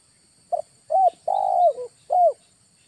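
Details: Spotted dove lure call recorded in August: a short low coo, then a mellow falling note, a long rolling purr sliding downward with a brief tail, and a final falling coo. Clean, quiet background with a faint steady high hum.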